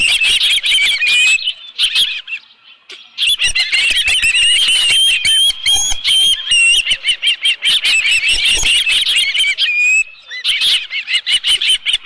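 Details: Osprey calling at its nest while a live fish is present, midday on 11 July 2018; near-continuous high whistled chirps and squeals with thin rising notes, punctuated by dense clicking and rustling thumps.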